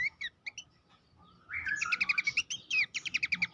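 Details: Abbott's babbler master song for training songbirds for contest: a few sharp chirps, then a fast run of bright, repeated whistled and chattering notes.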